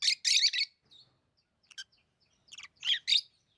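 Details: Lovebirds kept as pets giving shrill, buzzy chirps: a loud harsh burst at the start, then scattered short squeaky notes and a final pair of strong chirps.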